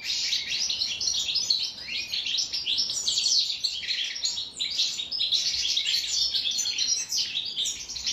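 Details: European goldfinch singing its original wild-type song, known in Morocco and Algeria as the khalwi song: dense, rapid twittering of bright tinkling and buzzy notes, continuous and jumbled for over eight seconds.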